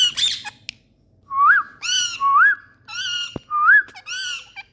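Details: Playing Indian parrots talking: clear rising whistled notes alternating with loud harsh, buzzy squawks rich in overtones, about one sound every half second, with a brief click in between.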